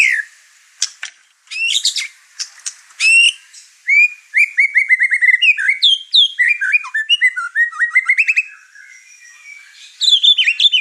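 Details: Over-excited caged white-rumped shama pouring out its song and provoking the other birds in the house; varied rich whistles, rapid chattering runs and slurred phrases in quick succession, with short pauses between bursts.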